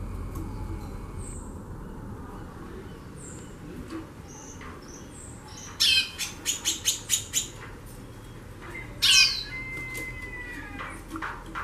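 A female white-bellied seedeater gives bursts of harsh, rapid chattering notes, about six in a quick run, then another burst. Faint high thin whistles come earlier.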